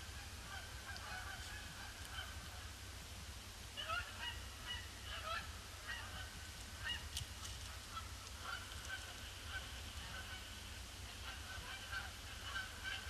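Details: Canada geese arriving in a seemingly unending influx on Boxing Day 2015, a grey, gloomy day, circling the pond before landing; many nasal honks overlap continuously, some louder calls standing out near the middle and end, with low background rumble.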